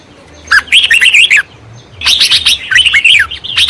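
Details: Baya weavers at their nests in a tree at a family home, giving two bursts of fast, high, twittering chatter with wavering squeaky notes, each about a second long, over a faint low hum.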